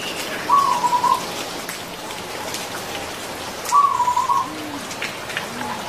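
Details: Wild zebra dove singing in nature: two short trilled cooing phrases, each about half a second long, roughly three seconds apart, over steady rain noise.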